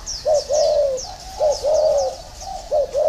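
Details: Spotted dove cooing: short low note followed by a longer steady coo, pattern repeated three times, with high chirps from other small birds above.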